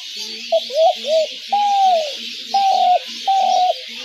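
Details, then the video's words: Spotted dove calls, used to lure doves into traps: a series of low, smooth hooting coos, some short and rounded, others longer, held notes dipping at the end, given roughly every second over a steady high hiss. "ঘুঘু পাখির ডাক/Dove bird calls/gugu pakir dak/ dove trap sounds/পাখির ডাক"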